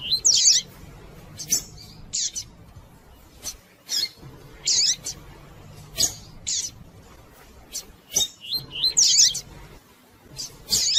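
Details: Female Rusty-collared seedeater calling repeatedly to stimulate a male, with bursts of high chirps and short buzzy notes in irregular clusters every second or so, separated by brief pauses.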